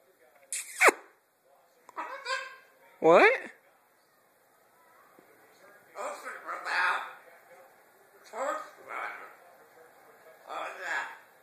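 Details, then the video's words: A pet blue-and-yellow macaw talks in harsh, raspy, word-like bursts, about six short phrases over eleven seconds, with phrases like "hello" and "give me kiss"; a person's voice may be mixed in. "Blue and gold macaw talking"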